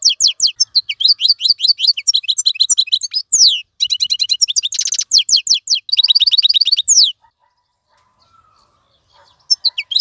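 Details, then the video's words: Singing nonstop, a caged wild European goldfinch pours out seven seconds of fast liquid twittering broken by a coarse buzzy trill, followed by quiet and a final few chirps. "مقنين خلوي يغرد بصوته النظيف, تغريد حسون بري دون توقف"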